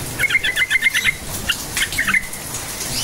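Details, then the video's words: Sooty-headed bulbul singing its vigorous 'cukcuk nguplik' phrase, used to coax quiet bulbuls into song; a quick string of about eight bubbling, bouncing notes, then a pause and a shorter closing phrase, with light background rustle. "Trucukan gacor cukcuk nguplik sangat AMPUH memancing trucuk DIAM jadikan burung NYAUT GACOR"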